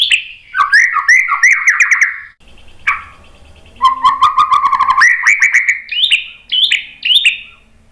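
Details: White-rumped shama lure song to provoke an answering bird. Varied, slurred whistled phrases with sharp ticking clicks, a short pause, then a low steady whistle rising into loud, ringing upslurred notes.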